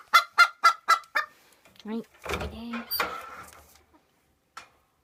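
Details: Cochin bantam hen after laying: five evenly spaced clucks in quick succession, then mixed honking calls and background rustling that fade out.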